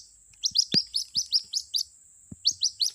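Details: White-breasted waterhen chick calling for its mother, a lure sound: brisk series of short, high, downward-slurred peeps in clusters, pausing near the middle, over a steady thin high whine with a few soft thumps.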